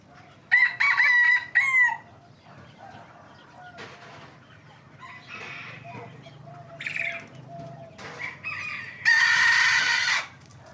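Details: Hybrid Indian junglefowl giving a clear harmonic crow of three connected phrases near the start, quieter calls in between, and a second harsh, broad crow later on.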